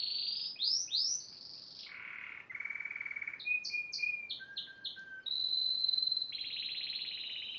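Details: Yellow Spanish timbrado canary delivering swooping whistled slurs, low rattling trills, clusters of quick high chips, and a long steady whistle followed by a buzzy trill.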